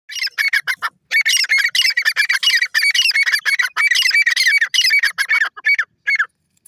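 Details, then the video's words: Grey francolin calling: harsh, squawking notes repeated rapidly in dense runs, each with a bright, strident ring, after a short pause near the start; no other sounds stand out. "irani dakhni teeter ki awaaz,teeter voice"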